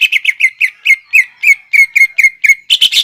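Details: Lure song of a greater green leafbird in the 'nembak ngekek' style, aimed at young leafbirds. A long even series of sharp, downslurred whistled notes about four per second, finishing with a rougher, louder burst.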